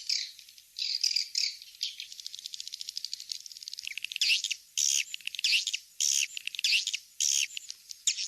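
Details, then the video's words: Swiftlets on a lure track named King's Star, used to draw birds into productive nest houses. High, dense chirps and twitters sit above a sharp low cutoff, in bursts about every half second, with brief click-like runs between them. "Suara walet King's Star"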